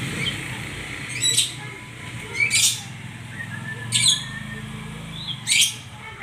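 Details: White-rumped shama: four loud, harsh, bright bursts about one to one and a half seconds apart, each joined by short rising whistles, over a low droning background.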